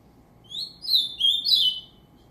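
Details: Bred ultramarine grosbeak gives a brief melodious whistled song of three linked notes, the first rising, the last slurred and dropping, with soft low background noise.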